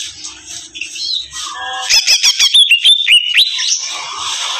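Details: Greater green leafbird in full, vigorous song: varied twittering phrases, then a run of about ten rapid, evenly spaced loud chirps, ending in high sliding whistles and chatter.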